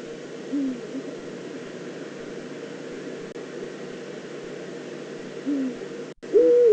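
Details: Eifel, 22 September 2014: a probable female Eurasian eagle-owl at her nest scrape gives two faint, short low hoots several seconds apart, then a loud call begins just as the recording ends.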